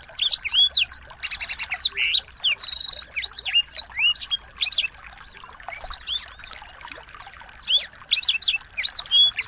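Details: Small birds' song used to tutor a white-rumped shama: bursts of sharp high chirps and whistled upslurs, buzzy rattling trills, a quieter pause near the middle, then renewed fast chattering phrases.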